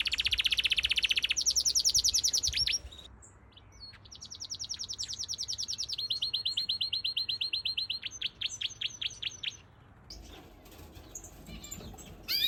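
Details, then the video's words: A canary in an outdoor mixed aviary sings a long, varied song of rapid high trills, rolling buzzy phrases and sharp repeated chips, changing pattern every few seconds. "Yellow Canary Birds | Bird Sounds"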